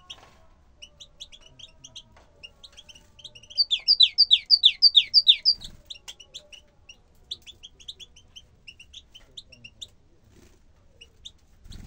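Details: Bukhara tit delivering a loud phrase of about ten rapid, sharp, descending notes in even rhythm, surrounded by softer high chirping from other small birds and a few faint knocks.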